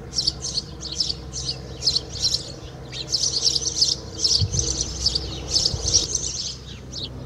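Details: House sparrow singing into a swallow's nest at Alikes, Kitros, Pieria, Greece, April 2021, a steady run of short, harsh chirps, several per second, over a faint low hum.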